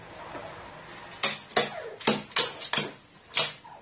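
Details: A crow acting like a nestling when given water, reverting to baby behaviour indoors: a series of six harsh, broadband begging calls, each rough burst starting abruptly and fading, spaced about half a second apart after a quiet start.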